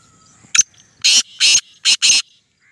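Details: A Black francolin giving about nine calls a minute: each harsh, grating phrase is one short note, then four loud rasping bursts in quick rhythm, with faint background hiss.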